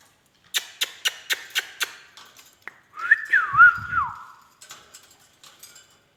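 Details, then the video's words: Talking Indian ringneck parakeet kept as a pet: a series of sharp rhythmic clicks, then a loud warbling whistle sliding up and down for about a second, with soft low murmurs beneath and faint ticks after. "talking I|ndian |r|ing |neck |parrot"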